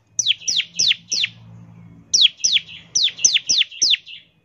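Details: Lure recording of a bar-winged prinia singing the rapid 'ngebren' style: two bursts of high, steeply falling chirps, four then six notes, split by a short gap with a low hum.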